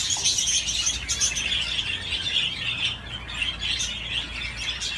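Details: Playful budgie on a swing keeps up a lively, dense warble of high chirps and grating notes, briefly softening midway before resuming.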